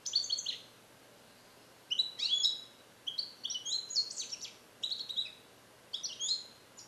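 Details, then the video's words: Song-trained European goldfinch hatched in captivity in 2021, learning Neapolitan song passages but not yet complete, isolated in a carrier for recording; repeated short bursts of high, sharp chirps and downward-slurred notes about every second, steady low hum behind. "Cardellino Passata Napoletana 2021 - European Goldfinch - Jilguero cante limpio"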